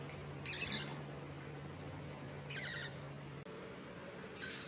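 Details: A pet Pacific parrotlet, on day 73 of learning to fly back home, gives three short, harsh, high-pitched squawky bursts about two seconds apart over a low steady hum.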